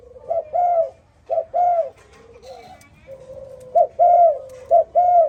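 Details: Spotted dove calling in the morning: soft, low, mellow coos in short two-part phrases, each note steady with a slight dip, given in two bursts separated by a brief pause, with faint background noise.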